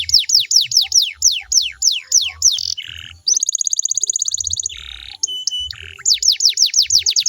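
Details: Canary singing to draw a reply from other canaries: quick descending sweeps, a dry low burst, a fine rattling buzz roll, a brief metallic note, then more rapid falling sweeps.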